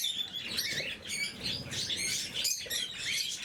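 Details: Blue mutation lovebirds in captivity during morning feeding: a dense, continuous chatter of overlapping high squeaky chirps and twitters, with a soft low rustling beneath.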